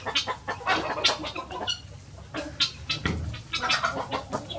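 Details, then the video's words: Chickens bursting out of their coop in the morning to go free ranging: a busy run of sharp, squawky clucks and short harsh notes from several birds, with soft scuffling between calls. "Chicken morning rush"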